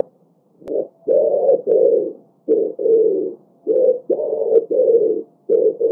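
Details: Low, hollow pigeon coos in an irregular run of short and long notes with brief pauses, a faint steady tone running beneath.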